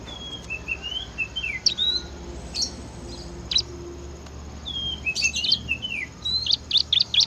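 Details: Bar-winged prinia singing in the 'gacor ngebren' style: a string of thin, high whistled slurs and sharp chirps, some rising and some falling, given in loose bursts, with a steady low hum beneath.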